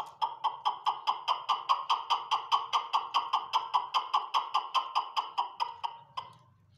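Chukar partridge giving a fast, steady run of hollow, clucking chuck notes, about four a second for six seconds, over a faint low rumble.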